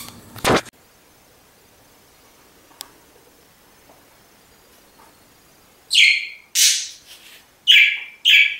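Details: Pet budgerigar indoors: a sharp knock, then several seconds of near silence, then four loud, harsh, rasping chirps in quick succession near the end.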